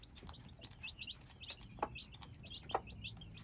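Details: Hybrid chicks peeping: many short, high, downslurred cheeps in quick, uneven succession, with a few sharp clicks and knocks and a low background rumble.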